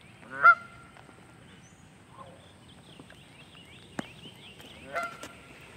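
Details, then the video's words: Canada goose calling on May 20, 2023: one strong honk at the start, then a quieter second honk near the end, with faint thin chirps of another bird and a sharp tap between. "canada goose calling"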